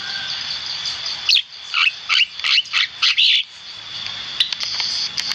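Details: A singing Javan myna, recorded for use as a training tutor, gives a quick run of six harsh, grating chatter notes, about three per second, over a steady high buzz, then a few scattered clicks.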